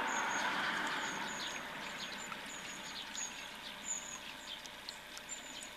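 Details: Long-tailed tits visiting a feeding station in Recke, Germany, in December 2019 give thin, very high 'see-see' contact calls every second or two over a steady rush of traffic-like background noise.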